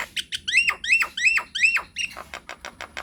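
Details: Nias hill myna in energetic lure song meant to provoke replies: four quick hooked whistled phrases about every third of a second, followed by a fast series of short clipped notes.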